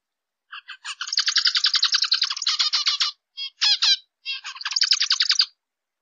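Zebra finch giving rapid buzzy, nasal chatter with short honking notes, like a tiny toy trumpet.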